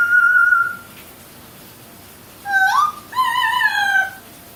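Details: Pet parrot indoors whistling a human tune, imitating the song God Bless America: a long steady whistled note, a pause, then a rising slurred whistle and a wavering two-part whistled phrase.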